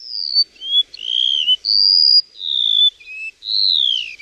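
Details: Continuous run of loud, pure whistled notes from a singing bird, alternating high and lower pitches, some level, some rising or falling, the last a long descending slur. The background is quiet.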